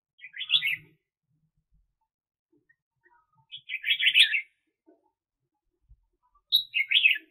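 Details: Caged decoy red-whiskered bulbul used to lure birds for trapping in 2021: three short, bright warbled phrases, each under a second, spaced about three seconds apart with quiet between.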